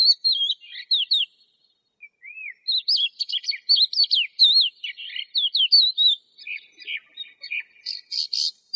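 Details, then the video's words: Lark in continuous song: fluid looping whistles and chirps, a soft descending note near two seconds, ending in harsher buzzy notes. "تغريد طائر قبرة الحقول(القوبع) Chant de Alouette des champs"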